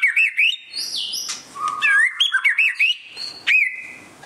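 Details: Displaying white-rumped shama gives wavering whistles, a buzzy high stretch and quick chips, then a long steady whistle that fades out.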